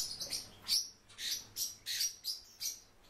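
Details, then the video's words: Warbling white-eye (Zosterops japonicus), a bird kept in captivity, gives quick bright high-pitched chirps, about six in three seconds, each short and sharp against a quiet background. "Zosterops japonicus- ЯПОНСКАЯ БЕЛОГЛАЗКА"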